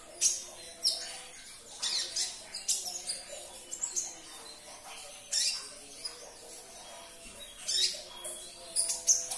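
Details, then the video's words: Sunbird (kolibri ninja) song used to make a caged bird sing again: steady series of high, buzzy chirp bursts with brief gaps, and a faint low hum beneath. "Putarkan 1 menit saja video ini KONIN anda pasti langsung nyaut"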